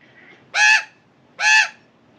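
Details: Loud, strident female Australian magpie angrily confronting a cat on a balcony: two rasping, nasal squawks nearly a second apart, each slightly falling in pitch.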